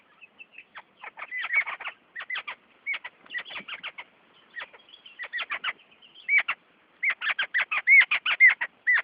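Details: Birds bathing in a Devgad village, chirping in rapid sharp notes in uneven bursts, growing denser and louder near the end, mixed with crisp clicking or splashing strokes.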